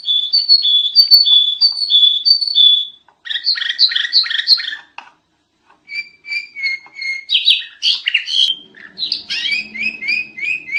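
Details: Sooty-headed bulbul singing a very noisy tutor song: repeated whistled two-note phrases, then clustered bubbly chirps, a pause, and more varied whistles and chatter, with a faint low murmur near the end.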